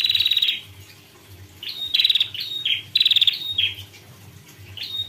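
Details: Female prinia singing: bright, high chirping phrases with sharp downward-sweeping notes in bursts of about half a second, separated by short pauses, plus a faint steady low hum underneath.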